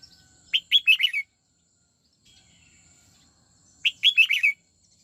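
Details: Red-whiskered bulbul being trained in the '89 xoắn tít' singing style, delivering two short bright whistled phrases of about five quick warbling notes each, roughly three seconds apart, with a faint steady high hiss.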